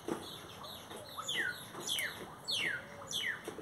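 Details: Great-tailed grackles sing a string of sharp, descending whistled slurs, repeated about every half second, clear over steady background noise.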